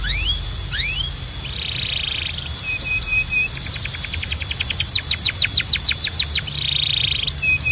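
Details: Belgian canary song mixing downslurred whistles, buzzy rolls, short level notes, and a rapid burst of descending slurs repeated about three times a second.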